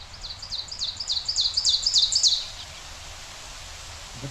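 Ovenbird song: a ringing run of two-note 'teacher' phrases that grows louder over about two seconds, then stops abruptly.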